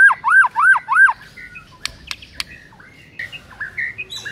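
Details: White-rumped shama song used to stir a silent bird into singing: four loud arched whistled notes repeated about every quarter second, then sharp clicks and softer varied warbled phrases.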